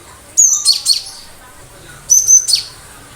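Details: Cinereous tit singing sharp 'tembakan' bursts, gacor style: two separated phrases, each a high whistled note run together with quick downslurred chips, about 1.7 seconds apart, over quiet background.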